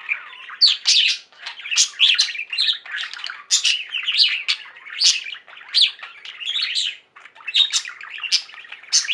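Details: A pet flock of budgerigars singing and chirping: dense, continuous chattering warble of rapid squeaky notes, broken by louder sharp chirps bursting out roughly every second.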